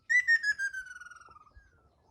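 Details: On Taketomi Island a Ryukyu ruddy kingfisher (local name Hokkaru) gives one clear, descending rattling whistle, loud at first, then breaking into faster, softer pulses as it drops in pitch and dies away after about a second and a half.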